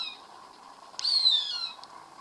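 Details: While feeding on a rat it caught, a Cooper's hawk gives one drawn-out, descending whine lasting under a second, heard from a garage door with a quiet background hum.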